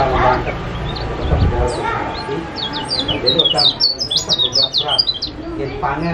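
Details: Yellow white-eye (kecial kuning) from Lombok, Indonesia, in a lure recording meant to make a silent bird start singing: a quick burst of high, thin, bright chirps and short twittering notes midway, with a man talking over it.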